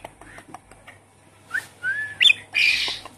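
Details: Javan pied starling, a caged bird, in a recording used as a lure to get a starling that has stopped singing to sing again: scattered harsh squawks and a rising whistled note, ending in a loud, raspy burst.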